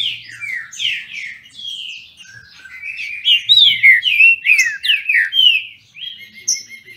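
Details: Green-winged saltators bred in captivity in Brazil competing in song: sweeping whistled notes that build into fast, loud, overlapping phrases, ending with a steady level whistle.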